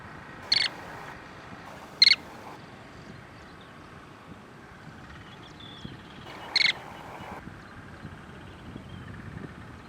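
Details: Lesser sand plover, also called Tibetan sand plover, on the Kadamakkudy Islands: three short, sharp high calls at about 0.6, 2 and 6.6 seconds over a quiet, low background hum.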